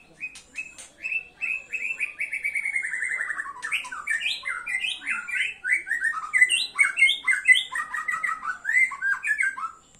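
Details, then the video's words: A white-rumped shama sings a long phrase: clipped opening notes, a falling run of rapid repeated whistles, then tumbling slurred whistles that rise and fall in quick succession, with faint high notes behind. "murai batu pastol mutah materi"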